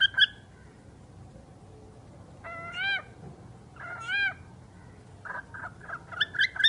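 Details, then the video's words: Talking bird giving several harmonic, speech-like squawks with rising tones, separated by pauses, ending in a run of short clipped syllables. "Chucky the talking bird"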